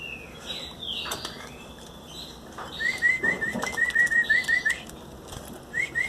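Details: Hand-fed Belgian canary chicks, 18 days old, beg with rapid short thin whistled chirps in a quick series, repeated near the end, after rustling and handling noises.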